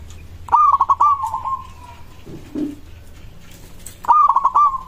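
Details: Local zebra dove song, used to get other doves to reply: a staccato run of quick notes ending in a long fading coo, a brief low sound, then the phrase starting again.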